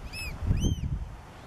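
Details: Black oystercatchers, parents with recently hatched chicks at Hopkins Beach, Pacific Grove, near harbor seals, give two sharp, piercing whistled notes, each slightly arched in pitch, about half a second apart, over a low rumble of wind and surf.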